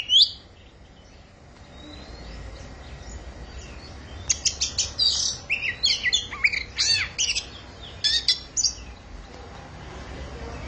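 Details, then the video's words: Oriental magpie-robin at the start of its singing season, singing fiercely: a lone high whistle opens, a quiet pause follows, then from about four seconds comes a rapid, dense run of varied high whistles, sweeping slurs and sharp chips in bursts. "Chích Choè Than Bắt Đầu Vào Vụ Hót Như Xé Vải"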